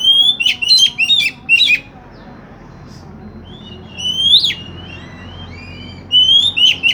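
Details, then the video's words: Oriental magpie-robin song used to prompt another magpie-robin to sing: quick bursts of chattering, whistled notes, a pause, then a long rising whistle and more sweet, varied phrases, with low background rumble. "Pancingan kacer macet bunyi"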